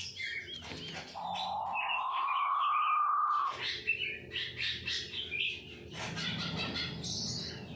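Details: Blue-breasted quail (puyuh batu) giving its 'ngorok' snoring call: a long droning, slightly rising snore-like tone held for about two and a half seconds, surrounded by many high chirps and twitters from other birds.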